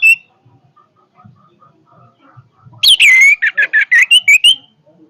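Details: Loud orange-headed thrush song: a short whistle, quiet murmuring, then a harsh buzzy note leading into a fast series of clipped notes and whistles that rise toward the end.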